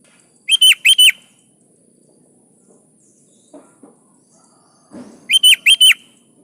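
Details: Sooty-headed bulbul (kutilang), a vigorous 'gacor' singer used to prompt other kutilang to answer and sing: two loud phrases of four quick, bubbly whistled notes about five seconds apart, with faint low rustling between.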